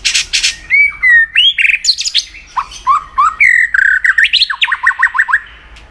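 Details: Contest-training song of a white-rumped shama, used to fire the bird up: a fast, varied sequence of loud whistles, slurred downward notes and quick repeated chips, ending in a rapid run of descending notes.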